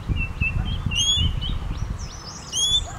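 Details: ['Common green magpie call: a strong, nasal whistled note near the middle of the clip and another near the end, with richly layered overtones. Thin chirps from other birds sit between them over low rumble.']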